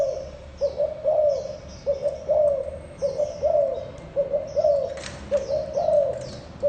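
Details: Continuous low cooing by a spotted dove, paired and tripled coos in steady succession, with small birds twittering and a brief click.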